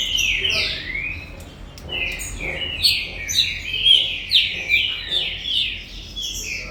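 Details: Bred green-winged saltator singing the Gold Rush style: loud, fast sequence of whistled notes sliding down then up, about two per second, building in volume toward the end.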